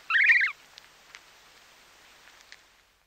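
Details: Snow goose (Anser caerulescens) chick feeding, giving a single wavering, high, squeaky trill of about half a second, followed by faint soft ticks and rustles of grass being pulled out.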